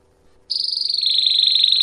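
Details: Canary campainha song for teaching young birds: after brief quiet, a clear high sustained roll with a faint overtone starts abruptly and continues evenly, slightly falling in pitch.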